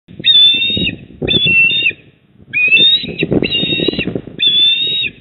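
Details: Eastern osprey at its nest in Port Lincoln, South Australia, 28 October 2024 at 19:26: five loud, shrill whistled calls, each about half a second long, in quick sequence over steady low rumbling wind noise.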